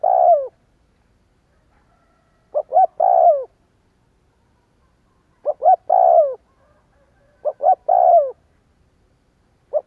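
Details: Spotted dove lure call for prompting doves to coo. It opens at the tail of one phrase, then three complete phrases follow, each two short notes leading into a long coo that drops in pitch. The clip ends on a fragment, with quiet between.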